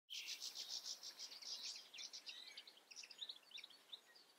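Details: European goldfinch singing, filmed in nature in the Eifel: a fast stream of bright, tinkling twittered notes packed closely together, later breaking into scattered liquid chirps and short buzzy trills.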